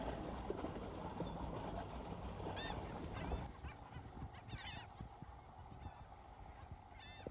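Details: A colony of about 100–125 black skimmers in a protected area of Rockport Beach, Texas, on Memorial Day weekend gives short, nasal, barking yelps, several birds calling over one another against a steady roar of wind and surf.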